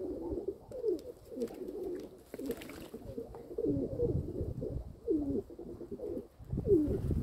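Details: Domestic pigeons belonging to their keeper, recorded 27 May 2022 in the afternoon: repeated low, bubbling coos with swooping inflections, many in a row across seven seconds, plus a brief hiss and light clatter.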